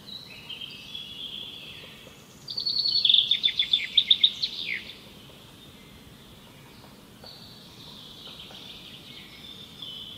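An Asian green bee-eater gives a quick burst of high, trilled chirps lasting about two seconds, over a faint, steady insect-like hiss.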